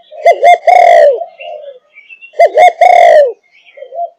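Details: Spotted dove of the Malaysian line, 5.5 months old, cooing in the thúc gù style: two short rising notes then a long falling coo, the phrase repeated after about two seconds of quiet.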